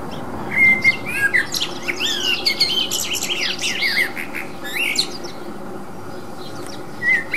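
A common blackbird sings a rich run of fluted whistles and sliding, twittering notes, then a short clear whistle after a pause, over a steady low background hum.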